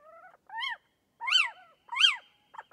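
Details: Little owl giving short, arched, mewing calls that rise and fall, three clear notes with fainter ones at the start and end, in a quiet background.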